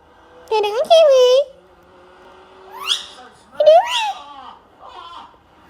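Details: Talkative Indian ringneck parakeet in a small room producing harmonic, speech-like bursts with nasal wavering tones, a rising sweep, and a final short phrase, separated by quiet gaps.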